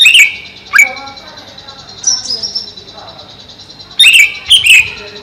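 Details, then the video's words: Caged greater green leafbird kept above a pond, seeming livelier there: loud, sharp whistled notes with slurred drops, in bursts near the start and again after four seconds, over a steady thin high hiss. "Burung Cucak Ijo"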